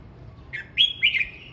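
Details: Red-whiskered bulbul practising its voice in morning song: a clear whistled phrase of a short low note, then louder upward-slurred notes ending in a sustained wavering whistle.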